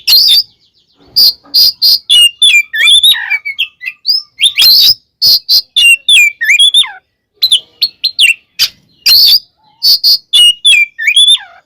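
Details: Fighting song of an oriental magpie-robin, used as a lure to make rival magpie-robins aggressive: rapid series of sharp, loud chip notes mixed with whistled, swooping phrases, delivered in dense bursts with short gaps over a quiet background.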